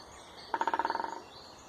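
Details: Woodpecker drumming: one rapid roll of about fourteen sharp knocks packed into roughly two-thirds of a second, slowing slightly and fading at the end, with soft birdsong in the background.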